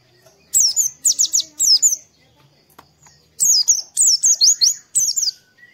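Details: Oriental white-eye singing in the morning as a prompting song to make other white-eyes open up and sing. Two runs of quick, high, thin chirps descend sharply in pitch, split by a brief quiet spell with a faint low whistle.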